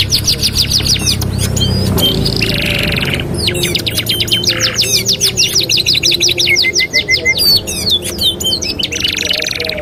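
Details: Canary singing a training master song meant to teach other canaries. Fast, high, rattling trills of repeated chips, buzzy rolls and bright whistled notes pour out almost without pause, over a rumbling low background noise.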